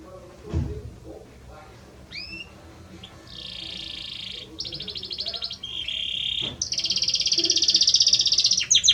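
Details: Belgian canary male singing to a female: faint thump and soft chirps first, then sustained buzzy trills growing louder into a rapid bright rolling trill.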